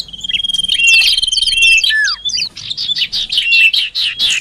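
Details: Common iora sounds used as a lure to bring birds near: quick rising and falling chirps over a sustained high whistle, then a downward-sweeping note and a run of rapid buzzy chips.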